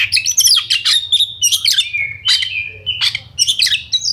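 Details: Oriental magpie-robin in full gacor ngobra song, used to make fellow kacer emotional and combative; jumbled high whistles, scratchy bursts and a held flat whistle around the middle, faint low hum.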